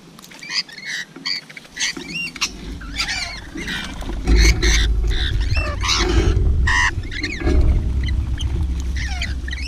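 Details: Rainbow lorikeet calling while feeding: scratchy, squealing chatter and rising squawks over a heavy low rumble that grows louder through the recording.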